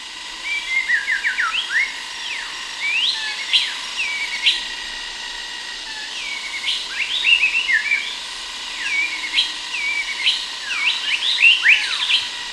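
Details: White-rumped shama in Sumatra, Indonesia, singing a long varied phrase of rich whistles, rapid slurred notes and sweeping upslurs in bursts over steady distant cicada hiss.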